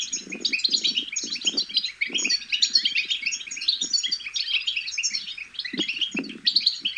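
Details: Goldfinch chicks chatter in a constant high, tinkling and buzzy babble used to stimulate goldfinches to sing; quick chirps overlap densely while low muffled knocks repeat underneath.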